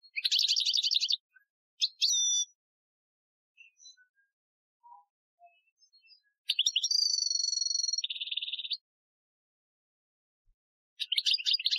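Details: European goldfinch giving an Algerian-style training song recorded in 2015: bright, tinkling twitters and liquid trills in quick bursts, with one long pure whistled note followed by a buzzy trill.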